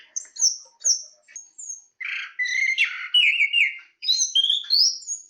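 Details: Chestnut-capped thrush singing: short high whistled notes, then a run of warbling phrases with mid-pitched slurred whistles and higher sweeping notes, delivered in rapid bursts separated by brief pauses.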